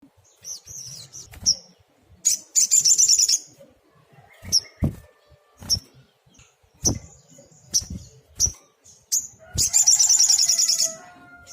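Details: Sunbird, locally called sogok ontong, singing energetically: sharp high chirps and short notes with two long buzzy rattling trills, plus soft clicks and low thumps.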